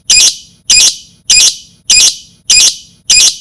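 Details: Lovebird, for luring other lovebirds: six sharp, high, harsh squawks, one about every 0.6 seconds, each short with a quick fade, in a quiet background.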